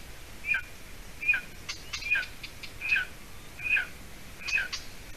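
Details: Golden eaglet, hatched 9 May 2020, at its nest in Latvia on 30 June 2020 around 6:20 p.m., as the adult female brings roe deer leg hide; thin high whistled peeps, each with a lower slurred tail, repeated about every 0.8 seconds.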